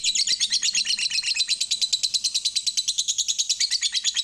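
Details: Lovebird in long 'ngekek panjang' style, played as a lure to get other birds singing: a fast, shrill, high chatter of evenly pulsed notes, about three per second, running unbroken throughout.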